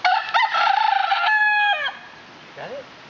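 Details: An excited rooster at Waimea Valley Botanical Garden, Oahu, gives a morning wake-up crow: a loud, harsh, strained note that holds steady, then drops away at the end, followed by a short, softer squawk.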